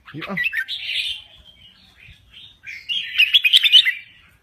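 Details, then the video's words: Crested bulbul, Thailand: a warbled phrase, a quiet gap, then a louder bubbling, chattering phrase with a faint click at the start. "Kicau Burung Merbah Jambul Gacor"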